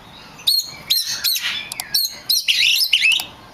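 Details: Oriental magpie-robin singing as a lure for other magpie-robins: sharp whistled notes and scratchy bursts in short phrases, ending with a rich warbled run of high notes.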